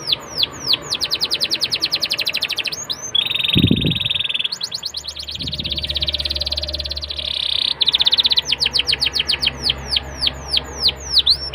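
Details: Song of a canary as a lure for young canaries: rapid high trills broken by a dense buzzy rattle, then more fast sweeping trills, with a low thump in between.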